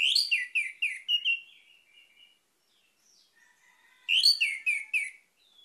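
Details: Orange-headed thrush singing a fast series of loud rich notes, each slurring downward, fading into softer twitters; after a quieter gap with faint notes, the same loud descending phrase repeats.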